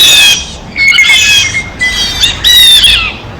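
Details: Loud harsh squawking from blue jays eating at a feeder, four rasping bursts, some overlapping or running together, with a faint thin whistled tone between them.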